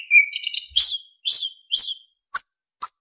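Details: Tutor recording of a narcissus flycatcher: a soft chattering lead-in, then three strong buzzy notes at regular intervals and two thin, piercing whistles.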